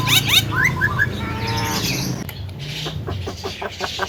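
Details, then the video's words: Tame Javan myna said to talk, full varied repertoire: quick rising whistled chirps and clicks, then a run of sharp ticking notes, over a steady low hum. "BURUNG JALAK KEBO JINAK PANDAI BICARA GACOR FULL ISIAN"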